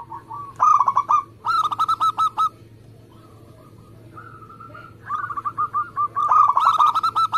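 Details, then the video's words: Singing local zebra dove: two loud runs of rapid, stuttering coos, a quiet stretch with soft held notes, then a long rolling series of quick cooing notes. "Perkutut lokal gacor"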